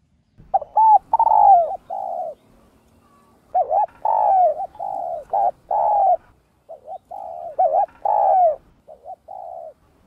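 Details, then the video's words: A spotted dove gives low, mellow cooing phrases in three bursts a few seconds apart, each a run of soft hooting notes with a slight rising inflection. "Tiếng Cu Gáy Giọng Hấp Dẫn ĐỦ BÀI [GÁY GỌI,THÚC,GÙ ]"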